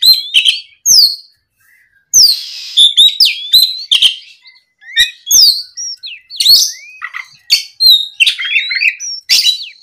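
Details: Rival-provoked Oriental magpie-robin giving a long vigorous song of rapid sharp chirps, upward-slurred whistles and raspy buzzes, nearly continuous with one short gap.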